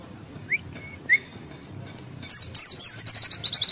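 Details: Caged Indonesian pleci white-eye (Zosterops) singing ngalas ngeroll: two soft rising whistles from another bird, then a burst of loud, very high chirps rolling into a rapid pulsing trill.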